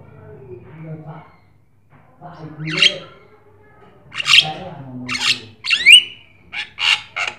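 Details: Black-winged starling in lively song, used as a lure and tutor to get other birds singing: low muttering notes, then harsh rising squawks and a sharp upslurred whistle, with bursts coming about every second.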